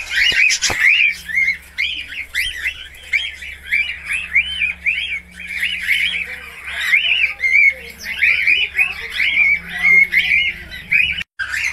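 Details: Budgerigar in long continuous song: rapid chattering chirps and bubbly whistled warbles repeated without pause for over ten seconds, ending with a sharp click.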